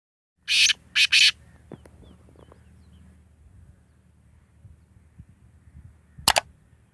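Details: A Grey francolin (teetar) in Sindh gives three loud, harsh notes in quick succession, then one more sharp note after a five-second pause, over a low background hum.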